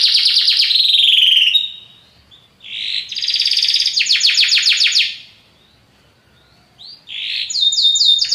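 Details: Powerful Belgian canary song in bursts: a rolling trill, a pause, a fast rattling series of repeated notes around a second long, silence, then high whistled notes resuming.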